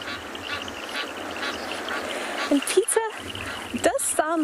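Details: A mother Egyptian goose gives harsh, honking alarm calls in short bursts after a dog walks past, warning her chicks to stay close and alert; a person talks over a steady background hum.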